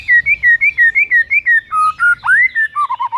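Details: White-rumped shama singing in the morning to provoke a rival into singing: a run of clear, rising-and-falling whistled notes, about three per second, then lower drawn-out whistles with a sharp upward sweep.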